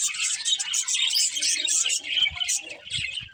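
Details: Budgies chirp in a busy, high-pitched twitter of rapid scratchy notes and short whistles, overlapping without pause, with faint low knocks near the end.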